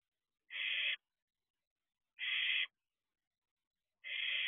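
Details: Barn owl owlet at the owl box in the early morning dark, 4:31 am: three rasping, noisy hisses repeated about every 1.8 seconds, each lasting half a second, with silence in between.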